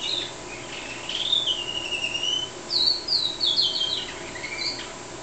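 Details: Red factor canary singing in front of a squirrel: a continuous, high-pitched warbling song of whistled slides, rapid trills and twittering phrases, changing quickly from note to note, with steady low background hum.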